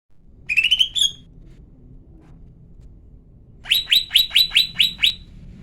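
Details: Female lesser green leafbird calling, used to provoke males into singing: a short run of rapid harmonic chirps around a steady pitch, then after a pause a burst of seven sharp descending notes repeated quickly.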